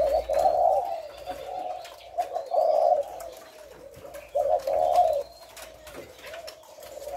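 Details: Spotted dove, thổ lối calls recorded on 18 September: several low, hoarse coo phrases, louder bursts near the start and middle, softer trailing notes, faint high bird whistles and a low background hum.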